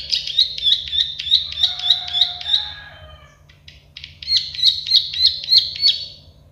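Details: Plain prinia (prenjak sawah) clicking song used for training: evenly spaced buzzy clicks about three per second, a softer lower chattering passage in the middle, then another steady run of clicks.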